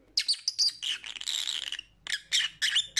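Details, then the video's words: Pet lovebird giving a continuous scratchy chatter of squeaks and whistled chirps, followed by several loud shrill squawks in quick succession. "Lovebird Sounds for Lonely Parrots"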